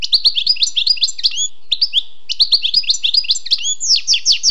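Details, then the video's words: A wild European goldfinch sings fast, liquid twittering phrases, each a rush of high tinkling notes, broken by a short pause before the next burst, in an otherwise silent setting. "Écoutez et appréciez le doux chant du chardonneret sauvage"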